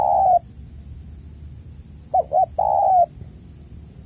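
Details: Spotted dove coos from a lure recording meant for caged doves that are not calling: the tail of a long coo, a pause, then quick stuttered notes and another long falling coo, steady high whine throughout.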